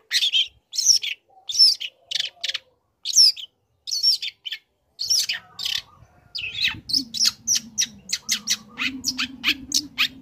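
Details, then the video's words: Young long-tailed shrike in full song, used to provoke other shrikes into calling: spaced clusters of rasping, high chattering notes, then a faster, denser run of sharp ticks and squeaks over a faint low hum. "Pancingan Emosi | Cendet Muda Gacor Belajar Materi Bikin Cendet Manapun Auto Nyaut Emosi Ikut Bunyi"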